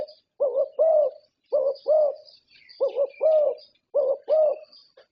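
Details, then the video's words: Prize-winning Thai zebra dove contest champion singing four evenly spaced phrases, each two quick low notes then a rolling purred coo, about once a second, over faint high chirping. "Perkutut juara Thailand"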